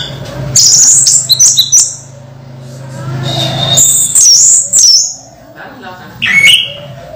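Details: Caged orange-headed thrush in moult, still singing strongly: bursts of high whistled and chattering phrases with gaps between, over a steady low hum.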